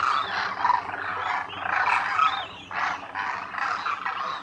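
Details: Koonj, the Demoiselle Crane, wintering in great numbers at Khichan in the Thar Desert, calling at the lake; bursts of grating, rolling croaks, a short quieter gap past two seconds, then renewed calling.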